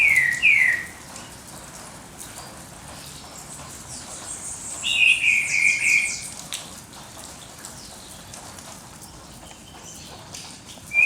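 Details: Birds singing at dawn: two short whistled phrases near the start and middle, sliding downward, with faint high chirps from other birds and a quiet background hiss between phrases.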